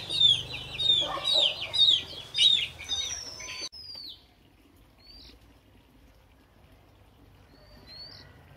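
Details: Oriental magpie-robin, newly caught, practising its morning song: about four seconds of rapid, repeated whistled phrases, then near silence broken by a couple of faint, thin rising whistles.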